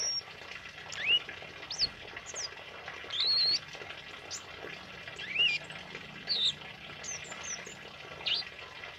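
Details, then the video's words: Lively singing from a tame male kemade, recorded for training other birds: a steady series of high whistled slurs and short chirps, roughly one every second, over a constant soft hiss. "Suara Burung Kemade Jantan Jinak Gacor Ngalas Buat Masteran"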